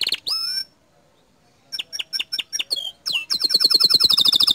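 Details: Bottle-green canary: sharp whistled notes, a gap, then a series of short staccato chips building into a fast, high, rolling trill.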